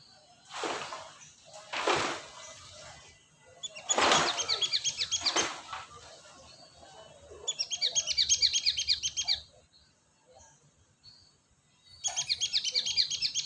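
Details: Cinereous tit lure call: loud knocking thuds at first, then long runs of rapid, evenly repeated high chattering notes, two bursts with a pause between.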